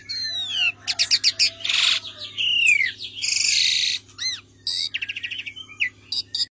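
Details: Javan pied starling song for bird tutoring: a busy mix of falling whistles, raspy noisy notes and fast chattering trills in irregular phrases, with a low hum underneath.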